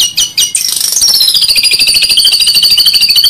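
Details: White-rumped shama master song for training: a few loud chips lead into a long, fast warbling trill with a high, slowly falling whistled line.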